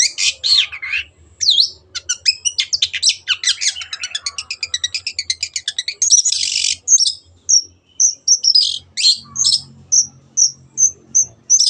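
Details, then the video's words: Long, energetic Long-tailed shrike song, used to stimulate silent birds to sing: varied harsh chatter and a rapid trill, then a run of short, high whistled notes over a faint low hum. "CENDET GACOR PANCINGAN MENGATASI BURUNG MACET ATAU BAHAN AGAR RAJIN BUNYI"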